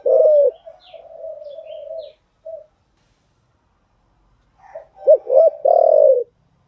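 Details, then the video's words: Spotted dove cooing for training newly caught birds: a loud coo then a long soft fading trill, a pause of silence, and a closing burst of stuttered notes and a long rough coo. "tiếng chim gáy dùng tập chim bổi mới hiệu quả"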